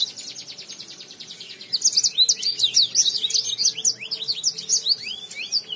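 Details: Lemon finch in full song: opens with a rapid, even trill of repeated notes, then bursts into a loud jumble of fast descending whistled slurs and chips lasting several seconds.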